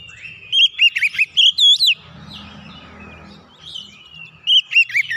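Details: Lively gacor song of an oriental magpie-robin (kacer), used to get a silent bird singing again: a dense string of loud, bending whistles for over a second, a lull with faint chirps and low hum, then another rapid whistled burst.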